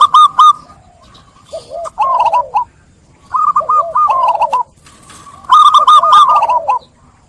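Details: Zebra dove (perkutut) singing three phrases of fast staccato coos, each mixing high clipped notes with lower rounded descending coos, separated by brief quiet pauses.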